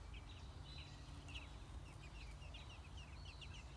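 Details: Six-day-old American robin nestlings at the nest during feeding, giving thin high peeps and short slurred chirps scattered throughout, with constant low background hum.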